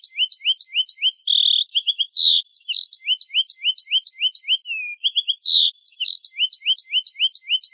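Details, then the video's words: Finch song from a masteran recording: rapid runs of short upward-flicking chirps paired with higher sharp notes, broken by buzzy trills and a sliding whistle, repeating in a steady loop over a silent background. "Suara Burung Finch"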